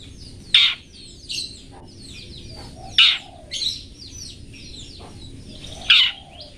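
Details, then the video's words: Master song of a Long-tailed shrike for teaching cage birds: three loud harsh notes roughly every two and a half seconds, with soft twittering chirps between them. "TOET TOET masteran burung cendet toet toet"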